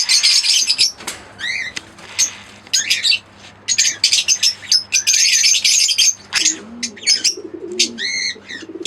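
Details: Chirping from a green Fischer's lovebird pair and an albino red-eyed pair: loud shrill squeaks and harsh bursts in quick clusters with short pauses, and faint low cooing underneath toward the end.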